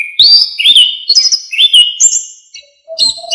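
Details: Song of an Orange-headed thrush, used to teach songbirds: clear, loud whistled phrases that slur up and down, each lasting about half a second, with short chirps between them.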